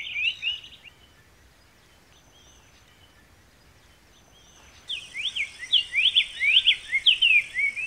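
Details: Sanhaçu-de-coleira, the black-faced tanager of Brazil, with a short burst of whistled notes, then a quiet gap of several seconds, then a lively stream of clear, rising slurred whistles over a thin high hiss.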